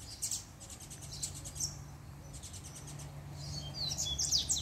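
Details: Double-collared seedeater (coleiro) kept as a pair, answering the female's arrival with a few high chirps, then a tighter flurry of sharp, rising twittered notes toward the end over a low steady hum.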